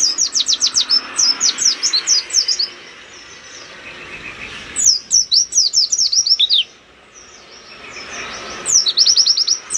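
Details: Oriental white-eye (Zosterops palpebrosus) in full loud song with open beak, meant to provoke and agitate rival birds: very high, thin, rapid notes in three quick chattering bursts with short pauses, over a faint hum.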